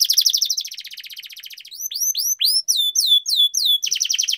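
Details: Rolling canary song for prompting other canaries: a dense fast buzzy trill, then a string of sharp rising-and-falling whistled sweeps, returning to a quick high roll.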